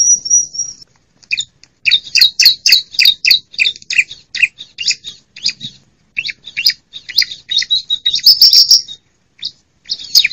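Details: Female bar-winged prinia calling, played to rouse quiet birds and attract wild ones for trapping: a brief high note series, then a long, dense stretch of harsh, scratchy chattering notes, with another thin high note run near the end.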